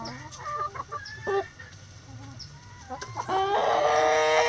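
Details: Backyard chickens cluck in short, rapid bursts, then one bird lets out a longer, loud, rich harmonic call that holds steady at the end, over a faint low hum.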